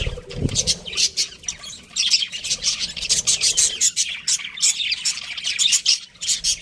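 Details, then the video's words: Lively chatter from a pet budgerigar breeding pair: rapid, repeated high chirps and clicky notes in pulsing bursts, with a brief low thud at the start. "cute budgies chirping sounds"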